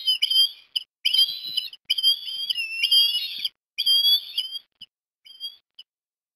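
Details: Osprey in Port Lincoln, Australia, 17 December 2021, calling as a chick is fed fish at breakfast; loud whistled phrases in a series, ending with a few short, thin notes.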